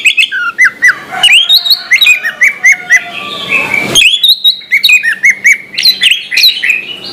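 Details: Orange-headed thrush in full morning song, a recording meant to get silent thrushes singing. A continuous, rich medley of fluty whistles, quick slurred chirps and sharp upward notes, delivered almost without a break.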